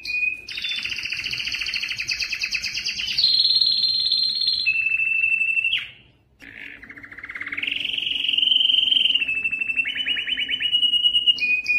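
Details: Yellow canary in song, pouring out rapid rattling trills that step down through several pitches, a brief pause, then rising buzzy rolls and steady high trills resuming.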